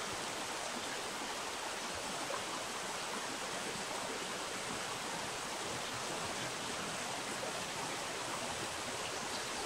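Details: Continuous flowing stream water gives a constant broadband rush throughout, and no animal voices are heard.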